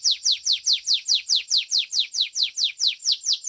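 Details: Belgian domestic canary in a singing contest delivers an even, rhythmic series of high downward-slurred whistles, about four per second, clear and ringing.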